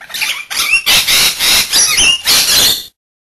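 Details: Two rainbow lorikeets take turns bathing, giving harsh, rasping screeches in rapid bursts of about half a second, run together in a noisy sequence with splashing-like broadband texture.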